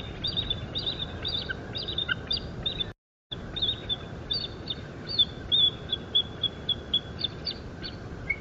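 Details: Bald eagle on a large stick nest at the Fort St. Vrain site, 05.03.2024, live nest camera: series of high piping, chirping notes in rapid runs, ending in a string of evenly spaced short peeps over low background hum.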